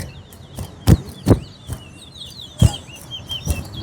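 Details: Chestnut-bellied seed-finch, known as towa-towa, singing in a competition between West Coast and West Bank birds: thin, high rippling notes repeat steadily beneath heavy thuds, with someone counting aloud.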